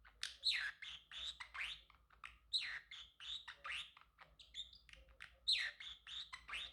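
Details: Pet male Pacific parrotlet in a singing and chirping session, giving dense chattering strings of high, scratchy chirps and quick downslurred notes, with brief pauses.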